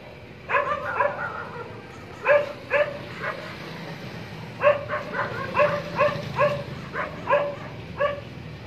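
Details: Three black francolins give harsh, grating notes in short clipped bursts, often in pairs or quick runs, repeated irregularly over several seconds against a faint background hiss.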